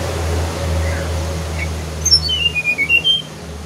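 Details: Brown-chested jungle flycatcher in a noisy room with a deep hum, ending with a quick string of clear whistles that drop from high to lower notes and rise a little at the close.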